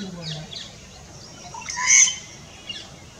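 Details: In spring breeding season, a bird calling to attract a mate gives one loud, bright, high chirp midway, with a few fainter chirps around it and a brief low murmur, perhaps a voice, at the start.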